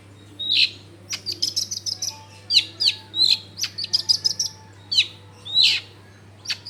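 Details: Long-tailed shrike singing, meant as a lure to make other shrikes sing, recorded in a busy residential area: sharp whistled notes and quick chattering trills, with short repeated squeaky phrases over a constant low hum.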